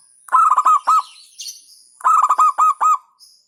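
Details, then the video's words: Local zebra dove singing in the hentakan style, said to provoke rival birds: two bursts of rapid, stuttering low coos, about six notes each, delivered as a bubbling beat with a pause between bursts. "Hentakan Burung Perkutut LOKAL Suaranya Berkelas bikin Emosi Lawan"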